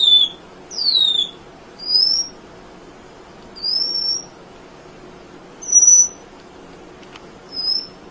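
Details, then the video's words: Munia singing for songbird training: scattered thin high whistles, some falling and some level, spaced one to two seconds apart against a quiet background. "Kicau Emprit Ngoceh Tak Kenal Lelah"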